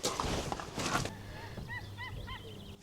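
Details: A White-tailed Eagle perched in trees on the Isle of Mull, Scotland, gives a quick run of five or six yelping, arched notes, after a burst of wind rumble and rustling.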